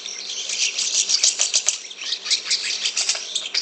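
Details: Jalak suren, the Asian pied starling, producing a raspy, scratchy run of rapid noisy pulses, high-pitched and unmusical, with two sharp clicks in the middle.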